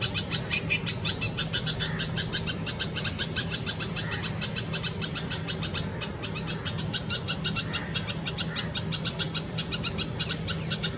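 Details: Red-vented bulbul feeding chicks at a nest in a Karaunda bush, Delhi garden, India, May 2020 summer heat: continuous fast high-pitched chipping, dense and regular throughout, with a few softer lower notes and a steady low hum beneath.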